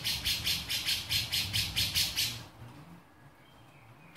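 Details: Male grey-cheeked bulbul in beset: about ten evenly spaced, coarse hissing bursts, roughly four per second, for two and a half seconds, then near silence over a low rumbling background.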